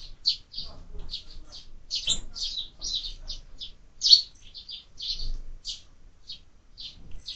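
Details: Sparrows at a feeder mounted on a window, where birds are fed throughout the year, chatter in sharp, high chirps at an uneven pace, with faint low knocks underneath.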